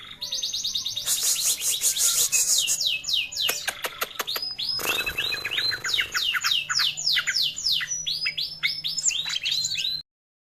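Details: Greater green leafbird singing as a lure for young birds: a long, varied, energetic stream of sharply rising and falling whistles, buzzy bursts and rapid trills, nearly continuous for ten seconds before cutting off.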